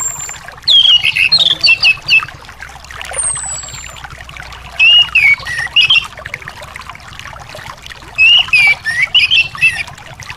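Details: Anis thrush song used as therapy to stir a bird that is reluctant to sing: loud whistled, warbling phrases in three bursts, with quieter twitters between them and a steady trickling hiss behind.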